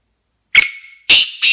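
A black francolin gives a sharp note, then two harsh, rasping bursts in quick succession.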